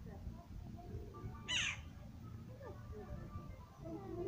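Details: A jackdaw fledgling, out of the nest but not yet able to fly and fed by its parents, gives one loud, harsh, rasping squawk begging for food. Quiet human talk and a low background rumble.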